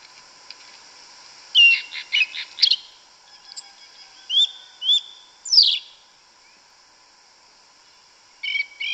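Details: Yellow-legged thrush, Turdus flavipes, known in Brazil as sabiá-una or sabiá-preta, singing its forest song in the woods: short bright whistled phrases and chirps spaced by pauses, with a quieter burst near the end.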